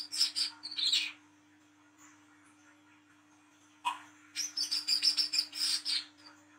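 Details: Night-recorded olive-backed sunbird, 'wiceh trotol' type, singing 'ngriwik' as a lure for young birds: rapid high twittering phrases, a quiet gap, then a long run of sharp repeated high notes, with a soft electrical hum.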